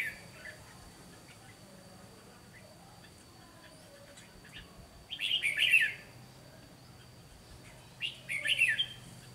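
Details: Red-whiskered bulbul used as a decoy bird for trapping, singing a fighting song: two short bursts of bright, jumbled chattering notes around the fifth and eighth seconds, with a steady faint high tone behind and long quiet gaps.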